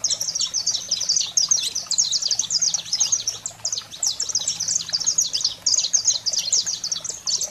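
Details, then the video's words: Energetic Saffron finch song used to stimulate canaries: a nearly continuous, dense stream of high, clipped chirps and quick trilled notes in rolling phrases, with a low background hum. "Canário-da-terra Fogo Selvagem para Estimular a Fibra e Foguear seu Canário em Minutos"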